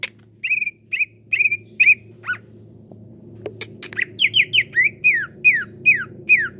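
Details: Greater green leafbird, called cucak ijo, in a lure recording for caged birds: level whistled notes and one chevron note, a few clicks, then a brisk sequence of downslurred whistles.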